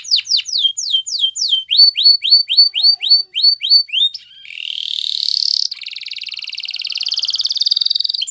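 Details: Canary singing a training song in Spanish Timbrado style: rapid rows of short rising whistled notes about four per second, then a long buzzy rising trill and a sustained fast rattling roll.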